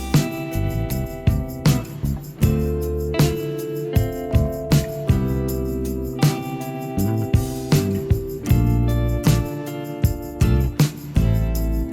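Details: Only music is heard: a steady beat of plucked and percussive instruments with sustained tones and no animal sounds.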